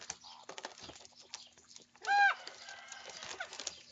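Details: Young common ravens eat breakfast and squabble over food; one loud, bent, harmonic croak stands out midway over steady rustling and pecking noise.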